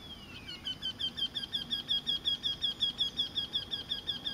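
A Eurasian wryneck gives a steady run of nasal, high 'quee-quee-quee' notes, nearly three per second.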